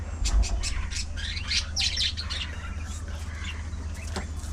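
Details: Budgerigars socializing in a colony: bursts of high chirps and scratchy squawks cluster in the first seconds, then scattered twitters continue over a constant low hum.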